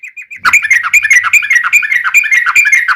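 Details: Yellow-vented bulbul song used as a lure to make captive birds sing back: dense run of bubbly, warbling chirps and short whistled notes, fast and continuous after a brief quiet start with a few soft notes.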